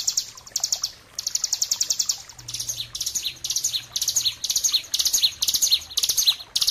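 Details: Bar-winged prinia, known locally as ciblek gunung, singing a master song used to train and lure caged birds: rapid bursts of high, buzzy chattering notes repeated in quick series, with brief pauses between phrases and a faint low hum beneath.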